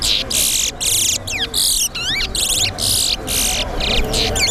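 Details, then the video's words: Competition towa-towa (seed finch) song at a bird race ground: loud harsh buzzy bursts repeated about twice a second, broken by swooping whistled slurs, over crowd murmur and low background noise. "TOWA TOWA BIRD RACE"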